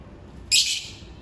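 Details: African lovebird during its daily routine giving a single harsh, shrill screech that starts abruptly and fades over about half a second.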